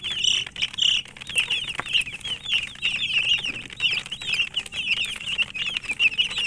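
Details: Young domestic chickens chirping: steady high-pitched peeping from many chicks, short curved notes repeated rapidly, with occasional tapping and rustling.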